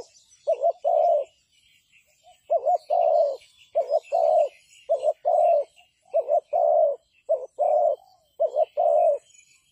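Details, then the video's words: Spotted dove calling as a trapping decoy, giving steady phrases of a short two-part coo then a longer smooth coo, about every second and a half, with faint high chirping of other birds behind. "The Sound Of Dove is very good Trap,Bẫy cu gáy bằng mồi trồn"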